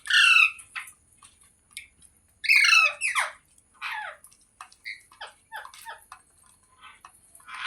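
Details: Green parrot squawking: loud, rasping calls open and recur after a pause, followed by a run of shorter harsh notes and chirps at an uneven pace.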